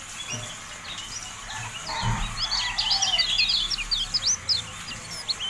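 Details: Javan white-eye song used as a tutor recording for caged birds: rapid, busy high chirps and short twittering notes, dense and uneven from about two seconds on, over low background rumble.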